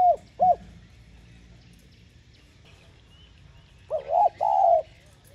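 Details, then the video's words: Spotted dove cooing to lure and stir other doves: short arched coos, two quick notes at the start, then a group of three ending in a longer note after a pause; faint high chirps in the background. "Tiếng Cu Gáy Giọng hay GỌI +THÚC Dục BỔI Kích Bổi Nhanh Nổi"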